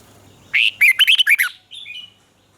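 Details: Red-whiskered bulbul, caged bird from Thailand, southern master-style song used to excite and train other birds: one quick phrase of about six liquid, warbling notes rising and falling, then a faint thin whistle trailing off.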